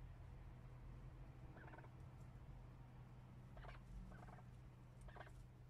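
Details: Chukar partridges give four short, rapid clucking bursts spaced a second or two apart over a steady low rumble.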